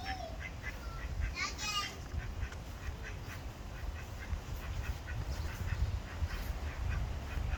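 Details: Ducks at a pond quacking in a steady series of short, nasal calls about every half second, over a constant low rumble, with a brief trilling call from another bird near the start.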